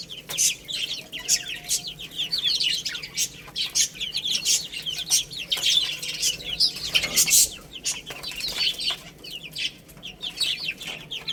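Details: Baby chickens playing and eating, a flock of chicks giving steady high, thin peeps, many overlapping down-slurred chirps throughout, with sharp pecking and scratching clicks between them.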